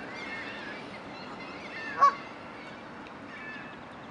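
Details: At a pond where the geese return each spring to spend the summer, a Canada goose gives one loud, nasal honk midway, with fainter honking from other geese before and after, over a steady outdoor hiss.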